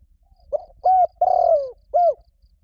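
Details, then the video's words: Spotted dove cooing to call a mate, played as a lure for wild doves: soft low opening note, firm hoot, long buzzy downward coo, then a final hoot, with faint high chirps behind. "CU GÁY GỌI BẠN | TIẾNG CHIM CU GÁY KÍCH BỔI NHANH NỔI HIỆU QUẢ, KÍCH 100% LÀ GÁY"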